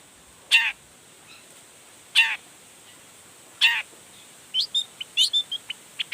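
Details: Long-tailed shrike, sound used to rouse other shrikes into singing: three harsh descending rasps spaced about one and a half seconds apart, then a quick run of sharp chipping and squeaky notes.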